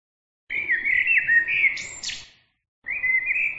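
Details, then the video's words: Bird song of bright, wavering whistled notes that slide up and down, ending the first phrase in a sharp buzzy burst, then a short pause before a second whistled phrase begins. "bird عصفور"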